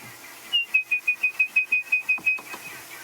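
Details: Wild Orange-breasted Bushshrike on an African safari, singing within a mixed party of birds, not alarm calling: a rapid series of about ten short, clear, even whistled notes, roughly five per second, with soft background chatter.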